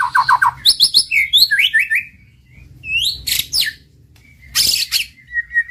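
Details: Varied male white-rumped shama song, used as a master to arouse quiet birds: quick low warbled notes, high slurred whistles, a pause, then harsh buzzy bursts and a thin sustained whistle.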